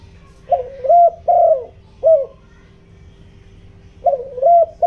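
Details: Spotted dove decoy in the giọng đồng voice, calling to draw in wild doves: a run of soft, low coos with rising-falling shape, a pause of nearly two seconds, then the coos resume.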